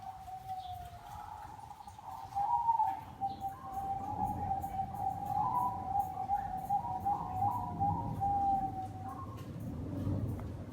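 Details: Zebra dove, called perkutut bangkok, singing vigorously: a long, quavering trilled coo holding a steady mid pitch for about nine seconds, fluttering and rippling in places, over a low rumbling background.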